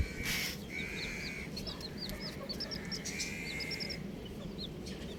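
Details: Colourful chicks chirping: a scatter of short, high, hooked peeps in small clusters, with longer mid-pitched buzzing tones and a low background hum.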